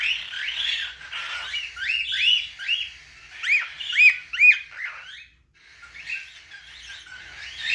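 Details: Young cockatiel giving a run of scratchy, arched chirps, rising and falling in quick succession.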